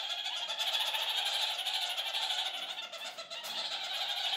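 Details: Kakariki flock chattering together, a call they raise several times a day to communicate: continuous harsh, scratchy cackling from several birds, dense and overlapping with slight dips in loudness.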